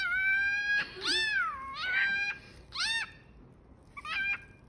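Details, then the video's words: Pet cockatiel imitating a cat: a series of drawn-out, nasal, meow-like calls that rise and then fall in pitch, with rich harmonics, separated by short pauses. "Cockatiel Cat"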